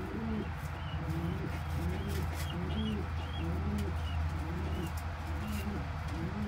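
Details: Tiny squab of kept pigeons being fed regurgitated crop milk by a parent; a steady series of low, rough, arched notes roughly every second, over a constant low droning hum.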